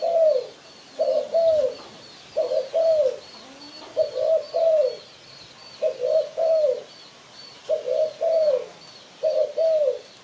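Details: Spotted dove cooing as a lure for catching birds: clean, soft paired coos, each pair slightly falling in pitch, repeated steadily about every 1.3 seconds against a quiet background with faint high hiss.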